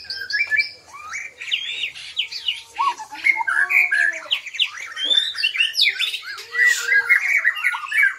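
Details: Black-legged white-rumped shama of Bahorok origin firing off a dense, rapid song of shifting whistles, chatters and harsh notes, with lower curved whistled notes mixed in and barely any pause throughout.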